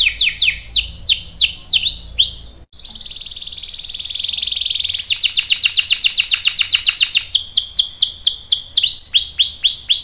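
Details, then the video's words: Canary giving a long rolling song to make other canaries sing: descending whistled notes, a smooth buzzy trill, then long runs of rapid repeated notes and closing slurs. "PANCINGAN KENARI GACOR CUIT CUIT bikin NYAUT ikutan BUNYI Ngerol panjang | CANARY SINGING"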